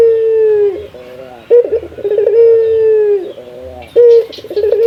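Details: Cage-kept male local puter (Barbary dove) calling to challenge a rival: deep, sustained coos with a stuttering rolled onset, repeated back to back with brief pauses, strong and close.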